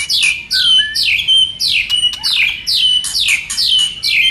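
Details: Shama song used to stimulate other shamas to sing: a run of rapidly repeated descending whistled notes, more than two a second, with one lower warbled phrase early on.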